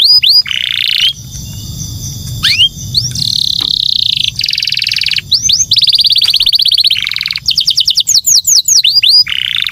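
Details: Canary song, loud and continuous: long buzzy trills alternate with sweeping upslurred whistles and rapid rolling notes.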